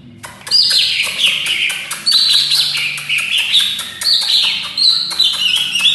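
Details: Greater green leafbird (cucak ijo) in full vigorous song (gacor) with many fill-in phrases (isian): a continuous, rapid, rich warble of sweeping whistled notes and fast chattering trills, high and bright, with no pauses.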